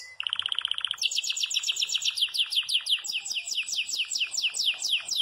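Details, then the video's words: Yellow Belgian canary singing hard in the bell-like campainha style: a short buzzy run of rapid notes, then a bright, high, fast trill of repeated slurred whistles that continues steadily to the end. "CANÁRIO BELGA CAMPAINHA ESTOURADO DANDO UM SHOW !!!"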